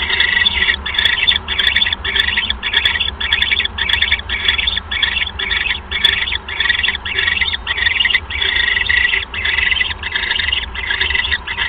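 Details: At a nest on 1 January 2015, 6:33 PM, an owl calls as a mouse is brought in. Continuous rough, hissing screeches are broken by rapid short gaps, keeping a steady pulsing rhythm, with low background hum throughout.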